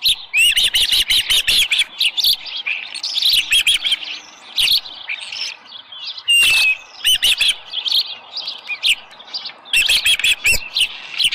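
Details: Morning calling from an osprey at the Dunrovin Ranch nest, 24 July 2018, a headless fish on hand. Insistent high whistles pour out in fast runs, broken by a few pauses and one long steady whistle midway.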